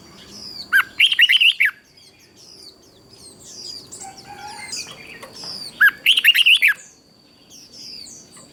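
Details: Red-whiskered bulbul song from Thailand, southern master style, played to excite other bulbuls and teach young birds: two loud bursts of rapid, warbling whistled notes about five seconds apart, with softer chirps from other birds between.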